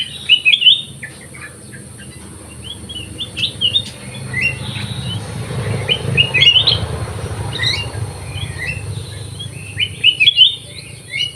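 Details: Black-crested bulbul singing repeatedly in an aviary, scattered short whistled and chirped phrases spread over several seconds against steady low-pitched background noise.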